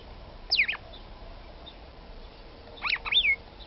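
A female red-cowled cardinal calls to stir the male, giving two quick bursts of sharp, slurred whistles sweeping downward, about two seconds apart, over faint hiss.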